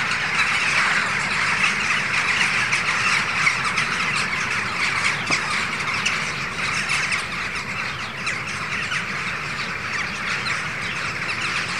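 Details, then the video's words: Hundreds of Western jackdaws arriving in the morning from their roosts at Ringenberg Castle, Germany, flying around an early rainbow; recorded on a camcorder. A dense, continuous chorus of overlapping short, harsh calls, steady throughout, with a faint low rumble beneath. "Dohlen - Tanz um den Regenbogen // Jackdaws - dancing around the Rainbow"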